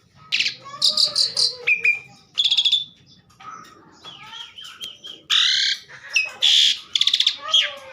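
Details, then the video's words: Asian pied starling singing energetically: a varied medley of loud whistles, harsh buzzy bursts, rapid trills and chattering phrases, some sliding notes, with faint low background hum. "burung jalak suren super gacor"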